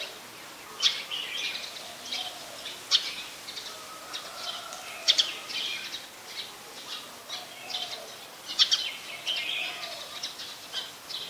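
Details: Brown-throated sunbird recorded in Ubon Ratchathani, Thailand, on 15 January 2021, giving sharp, high, clicking chirps roughly every one to two seconds, mixed with brief twitters, while faint low whistles and background hiss continue.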